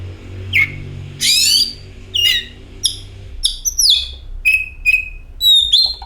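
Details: Lure song of an oriental magpie-robin meant to prompt singing: a harsh rasp followed by short whistled notes, some falling, some steady and high, in spaced bursts with a faint low hum beneath.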